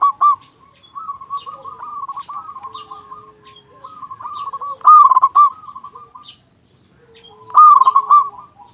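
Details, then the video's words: Big-voiced local zebra dove singing, used to lure other doves into calling. Long stretches of softer continuous cooing are broken by loud rapid staccato phrases, with a further faint caller in the background. "Perkutut Lokal Gacor Suara Besar Pancingan Burung Perkutut Agar Cepat Bunyi"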